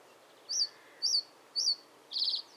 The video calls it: The Reed Bunting and its call